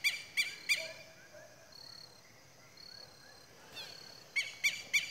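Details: Southern lapwings (Vanellus chilensis) at dusk on a farm, as the sun sets behind a mountain, give loud, harsh, strident calls in two bursts of three, before flying off to roost; other birds whistle high and thin.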